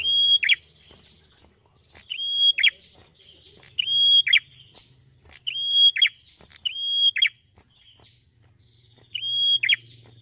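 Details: Red-headed prinia, a small songbird singing at full strength. Seven phrases repeat at irregular gaps, each a long even whistle followed by a short buzzy downslurred burst, with a faint low hum at times.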